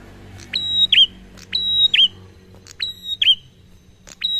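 A prinia sings short phrases: a sharp click, then a high, flat, thin whistle that ends in a quick dip. The phrases repeat about once a second at an unhurried pace.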